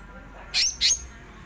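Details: Greater green leafbird with a rolling, frenzied song style, giving two short harsh, high buzzy notes in quick succession against a faint steady hum.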